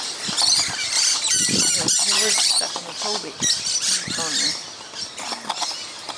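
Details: A flock of about twenty musk lorikeets feeding noisily in a fruiting tree in the morning, dense shrill high screeches and chattering overlapping constantly, with a man talking quietly in the foreground.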